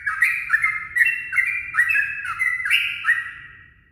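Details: Yellow-vented bulbul singing at dawn as a lure: a run of bubbly, clear notes near mid pitch, each sliding down slightly, repeated a little over twice per second over a faint low hum.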